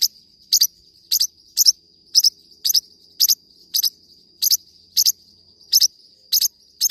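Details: Forpus parrotlet song made of crisp paired chirps, high and piercing, repeated roughly every half second in a steady run, with a constant thin high whine beneath.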